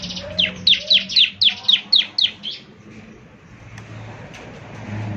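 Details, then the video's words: Energetic 'gacor' song of a 'semi' ciblek, the Bar-winged Prinia, for morning playback: seven quick, bright, downslurred notes in about two seconds, followed by quiet background rustle and a low hum. "ciblek semi gacor, putar tiap PAGI agar ciblek semi ikut nyaut bunyi GACOR"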